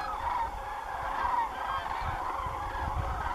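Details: A large flock of common cranes flying over farmland beside Doñana National Park at day's end calls in a continuous chorus of overlapping bugling, trumpeting notes over a low rumble of wind.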